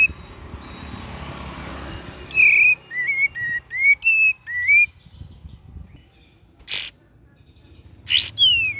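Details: Cream-vented bulbul singing in the lively gacor and ngeriwik variation: after a hissy opening, a run of short clear whistled notes, mostly slurred downward, then two sharp broadband bursts and a final falling whistle.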